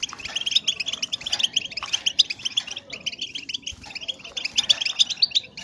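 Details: Female European goldfinches calling to stimulate males to breed; thick, high-pitched twittering and chirps in overlapping waves, with a brief lull near the middle before the chatter resumes.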